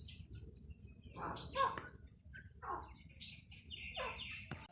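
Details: Female grey francolin (Francolinus pondicerianus) calling: harsh, shrill, grating notes in quick uneven bursts, each sweeping downward, over a steady low background rumble.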